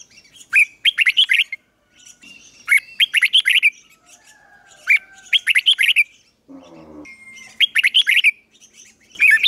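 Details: Decoy red-whiskered bulbul singing to provoke rivals into fighting; short phrases of rapid whistled notes come in bursts about every two to three seconds, separated by near silence and a brief low rattle.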